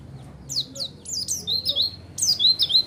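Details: Lure song of a white-eye played to provoke replies: quick high chirps and downslurred notes, then clearer whistled notes holding a steady pitch, delivered in three short bursts.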